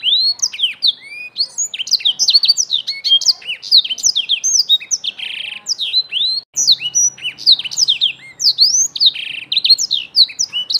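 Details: A young Black-throated canary pours out a continuous twittering song of high slurred whistles and buzzy notes, with a faint low hum audible in the later part.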